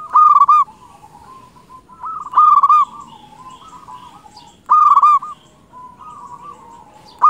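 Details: Actively singing local Zebra dove, meant to attract wild doves, repeats a loud trilled coo phrase about every two and a half seconds; fainter doves coo between phrases.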